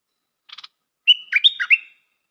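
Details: Stripe-throated bulbul decoy bird: a soft triple ticking, then a clear whistled note leading into a rapid, bubbling warble lasting under a second.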